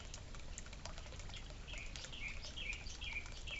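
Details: At a suburban birdfeeder and water fountain, a bird repeats short, sharp chirps roughly twice a second in the second half, after a quieter start with light tapping and a steady low background rumble.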